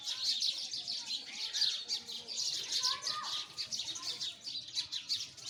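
Sparrows chatter in a dense flock, with overlapping high, sharp chirps running without pause; one brief lower whistle cuts through near the middle.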